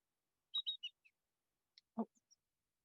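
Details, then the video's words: Greater Yellowlegs at a shorebird pond at the Fresno/Clovis Wastewater Treatment Plant, 21 November, in poor weather: three quick, clear, high whistled notes, slightly falling, then a soft low thump and faint ticks. "So greater yellow legs just vocalized. That three-noted high-pitched call."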